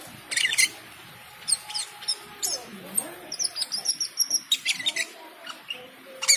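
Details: Cucak keling singing energetically on hearing the call to prayer; staccato high chirps, rattling bursts and a warbled whistled phrase, while the call to prayer chants faintly behind.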